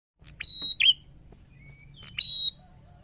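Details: Prinia, a male in full song: a sharp click, then a loud, flat, high whistle held about a quarter second ending in a buzzy trill, repeated after a pause, with quiet twitters between.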